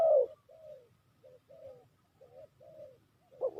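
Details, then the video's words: Spotted dove used as a lure bird for trapping, giving soft, hoarse coos: a strong opening note, then a run of short, quieter cooing phrases, some doubled, and a louder coo at the end. The background is quiet. "Sound Of Spotted Dove is so good"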